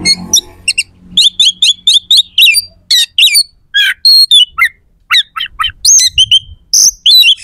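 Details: Oriental magpie-robin delivering loud, harsh song full of sharp fill notes, intended to make rival magpie-robins more determined in contests: a fast run of repeated clipped chips, then varied buzzy and whistled phrases separated by brief gaps.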